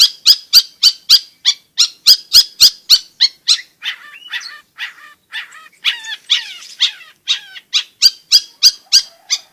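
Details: Continuously singing long-tailed shrike, used to stir silent birds into song and to tutor young ones. A fast train of sharp ticking notes shifts midway into lower, slurred, downward-sweeping phrases, then returns to quick ticks.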